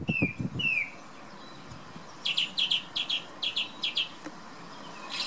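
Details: Morning song of a male thrush outside a bedroom window in windy weather: two falling whistled notes, a short pause, then a run of about seven rapid, sharp repeated notes, with steady low wind noise beneath.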